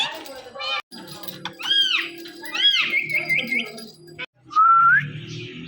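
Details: Indian ringneck parakeets, a pet male and female pair, calling indoors in the morning: arched squawks, a short string of chirpy notes, and a rising whistle after a brief silence, over a soft hum.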